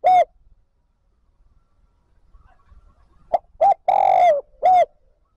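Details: Spotted dove kept as a decoy, calling wild birds in to join its flock. A lone short coo is followed after a pause by a quick run of clipped notes, a long hoarse coo and a final short note.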